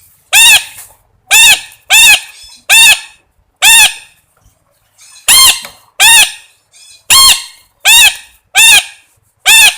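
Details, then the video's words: Parrot calling with loud, harsh squawks rich in ringing overtones, about eleven in ten seconds, delivered singly or in quick pairs with a brief silent gap midway. "suab noog yeeb kub quaj zoo heev tiếng vẹt keu"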